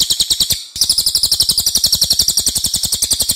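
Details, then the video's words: Cililin song used as a training model for other songbirds, a loud, long-voiced bird said to try to outsing rivals: rapid high chattering notes, about eight per second, with one short break early on. "MASTERAN CILILIN OKE BANGET"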